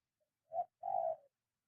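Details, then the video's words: Soft two-part cooing from a spotted dove in training to call on the ground: a brief low hoot, then a drawn-out, even coo. "Proses ajaran agar bunyi ditanah"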